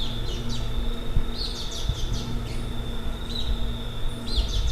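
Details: Endangered Whistling Warbler in forest on St. Vincent giving short, sharp, high chip notes, spaced irregularly several times in a few seconds, over a steady thin high whine and a low hum.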